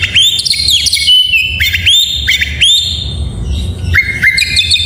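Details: Morning song of an oriental magpie-robin, rich high whistles with quick upward flicks and repeated sliding notes, delivered in rapid phrases about every half second, low hum underneath.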